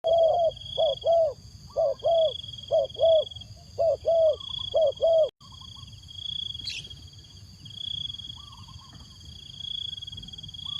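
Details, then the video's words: Decoy spotted dove cooing to lure wild doves: a run of soft, low, hollow coos in paired pulses, about eight in five seconds, then it falls silent while a steady high insect drone continues throughout. "chim cu mồi gáy gọi bổi"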